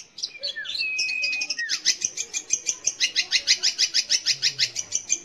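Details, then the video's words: Long-tailed shrike (cendet or pentet) song used to provoke young or silent shrikes into singing: opening slurred whistles and a long level whistle, then a fast, regular series of high, sharp chattering notes, about three per second. "kicau BURUNG CENDET / PENTET untuk PANCINGAN"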